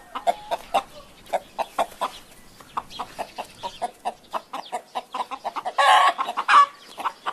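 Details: Chicken giving a steady run of short clucks over a faint background, with a louder, harsher squawk near six seconds and a short squeal shortly after.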